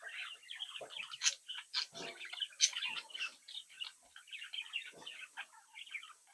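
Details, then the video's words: Captive young budgerigars chatter steadily with quick high chirps and soft warbled notes, a couple of louder sharp squeaks standing out. "Sonidos de Mi Cría de Periquitos Australianos que estimula a tu Periquito Solitario"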